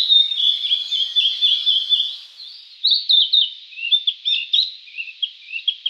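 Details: Blue-and-white Flycatcher, a summer visitor to Japan noted for its beautiful song, singing: high, clear whistled phrases that break into quick, jumbled twittering notes, loud and close, over a faint background twitter.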